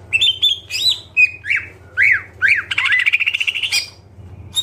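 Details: Varied full isian song of a greater green leafbird: short whistles, three arched slurred notes, then a rapid buzzy trill before it fades, with a low steady hum underneath.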